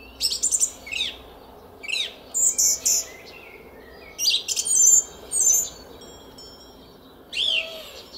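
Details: Song thrush trilling in a garden at 06:15 on 10 April 2021, Szalkszentmárton: loud, varied high phrases, some downslurred whistles, others clipped repeated notes, spaced by pauses of about a second.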